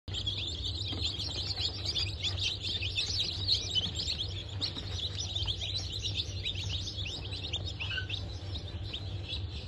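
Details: Newly hatched Bantam Cochin and Sussex chicks, hatched on 3 November 2024, peeping in a dense chorus: many overlapping high, short downward chirps, continuous throughout, over a steady low machine hum.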